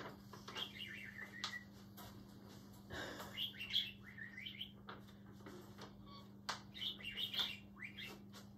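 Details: Caged pet budgerigar singing to a piece of paper during play: scattered chirps and short warbled phrases with upward and downward slides, irregular and quiet, against a constant hum and occasional clicks.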